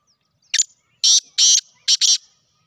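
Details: Black francolin, called Sindhi kala tetar, giving one harsh, grating call: a short sharp note, two longer buzzy rasping notes, then a quick closing pair, all within about two seconds, against silence.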